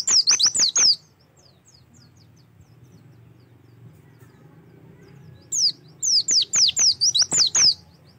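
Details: Oriental white-eye, its song used as a prompt for singing: a brief cluster of high, falling whistled notes, a long quiet stretch with faint background hum, then a second run of quick down-slurred notes.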